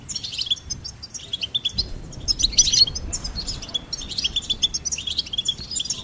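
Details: A singing goldfinch pours out quick, high, jingling twitters in three bursts separated by brief lulls, over soft low background noise.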